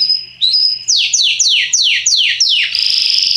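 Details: Belgian Salsa canary singing strongly, used as a tutor to teach young birds: a high steady whistle, then six fast descending swoops about four per second, ending in a rapid buzzy trill.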